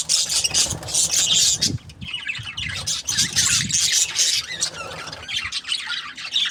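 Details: Chattering budgies: bursts of harsh high squawks and scratchy chirps, a short lull just before the two-second mark, then renewed busy twittering over a low rumbling background.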